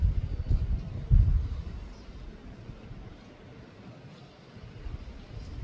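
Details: Low rumbling wind or handling noise with a brief louder thump near the start; no animal voice is heard.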